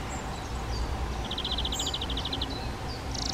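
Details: Spotted flycatcher parents feeding nestlings at a half-open box on a garden hut; a fast even series of about a dozen high pulsed notes, faint thin chirps and a brief hissing burst at the end.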